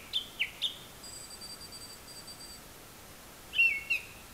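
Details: A Japanese thrush singing from very high up, seemingly mimicking various other calls: short, clear whistled phrases of quick sliding notes with pauses, while a faint thin high trill runs in the background.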